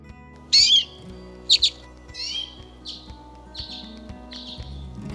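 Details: Common redpoll in Poland gives six short, high, buzzy chattering notes, roughly one every two-thirds of a second, over a faint low background hum.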